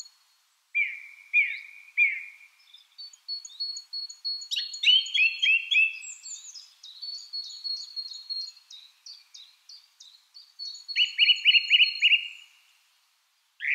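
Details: Song thrush delivering repeated phrases: three low whistled notes, then a long stretch of thin high ticking notes mixed with richer slurred calls, ending with a fast run of repeated fluty notes.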